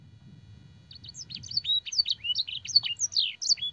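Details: Canary training song with blackthroat and sanger phrases: after a quiet start with low rumble, a run of bright sweeping whistles and chirps begins and continues steadily.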